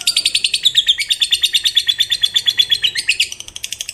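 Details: Fighter lovebird giving its long 'ngekek' chatter, which is said to make other lovebirds join in. A steady, very rapid stream of high, harsh repeated notes lasts the whole four seconds and softens slightly at the close.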